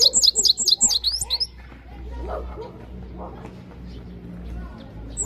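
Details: European goldfinch singing: a quick run of high, tinkling, twittering notes in the first second and a half, then near silence with faint low murmurs before one more high note at the end.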